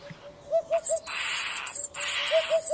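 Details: Eurasian hoopoe from Spain, a species that nests in holes, repeating short triple phrases of low, hollow hoots. Loud bursts of broad hissing noise cut in between and over the phrases.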